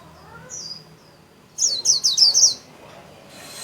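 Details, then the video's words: A Japanese white-eye kept as a cage bird sings líu-style with wings spread. A thin high slurred note comes first, then a fast, bright, trilling run of about six high warbled notes lasting a second. "KHUYÊN LÍU XÒE CÁNH CỰC KỲ ĐẸP - CÁCH GIÚP KHUYÊN MAU LÍU"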